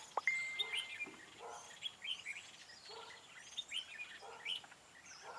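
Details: During a trapping session with a decoy on 4 February 2017, a red-whiskered bulbul gives lively high whistled notes, one long level whistle then short lilting phrases repeated about every second, clear against soft background noise.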